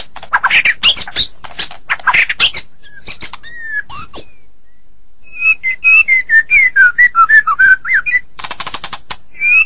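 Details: White-rumped shama song recorded as a training recording for songbirds: bursts of rich, varied whistles and harsh rasping notes, then a quick run of clear slurred whistles rising and falling, ending with buzzy bursts.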